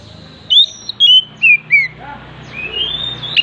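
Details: Oriental magpie-robin singing, its repertoire said to include an imitation of a hen clucking after laying: four loud whistled notes sliding downward in quick succession, then a fainter drawn-out rising whistle.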